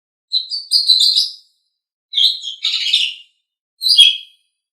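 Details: Asian pied starling singing for songbird training: three dense bursts of scratchy, chattering and squeaky notes, the middle one longest, broken by short clean gaps.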